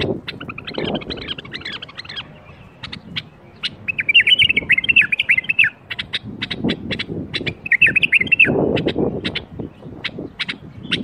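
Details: Bulbul singing a 'berwaz' song to bring other bulbuls into song: loud buzzy warbled phrases alternating with quick irregular chip series, over low-pitched rumbling noise.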